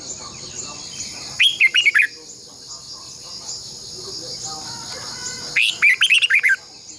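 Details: Red-whiskered bulbul singing a decoy song for caged-bird training: two phrases of five or six rapid, sharp, warbling notes, about four seconds apart, over a continuous high-pitched insect-like hiss.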